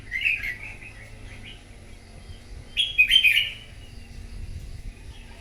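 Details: Wild-caught red-whiskered bulbul singing in competition in the morning: an opening short warbled phrase, a pause, then a louder, rapid, sliding whistled phrase, with a faint low rumble throughout.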